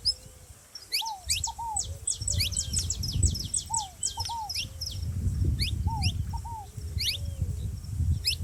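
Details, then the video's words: Saffron finch with a ground dove: a dense run of rapid high ticking chirps, then scattered rising slides, with recurring lower double arched notes and strong low rumbling noise throughout. "canário da terra fazendo barulho junto com rolinha"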